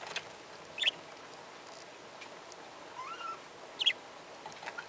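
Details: A pair of budgerigars: two short, sharp chirps about three seconds apart, with a soft, wavering warble rising and falling in between, over steady faint hiss.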